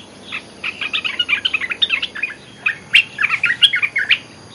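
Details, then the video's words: Olive-winged bulbul lure calling: a long, busy chatter of rapid, bubbly chirps and short warbles, nearly continuous with a brief lull midway. "Suara pikat merbah belukar gacor"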